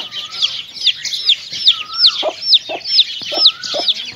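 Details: Hen and chicks feeding together: rapid shrill chick cheeps, sharp and down-curving, mixed with deeper hen clucks at irregular intervals and a couple of drawn-out whistled notes.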